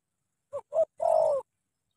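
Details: Spotted dove from Cà Mau, Vietnam, giving one soft three-part coo: two short low notes followed by a longer, slightly falling, purring note.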